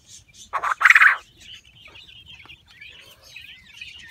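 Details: Common quail, males and females kept in a spacious enclosure, males competing for females and territory with loud calls: two loud, harsh bursts in quick succession, followed by soft twittering of other small birds.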